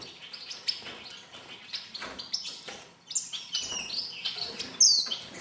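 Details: Star finches eating in a birdhouse give a busy stream of thin, high chirps and tweets, several per second, overlapping as if from a small group, with a sharper whistled note near the end.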